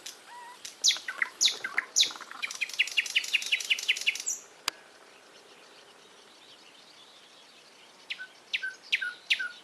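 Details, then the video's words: Bright bird song opens with two pure whistled notes and sharp chirps, speeds into a rapid rattling trill for about two seconds, falls quiet, then resumes with a few clear high chirps. "голоса птиц"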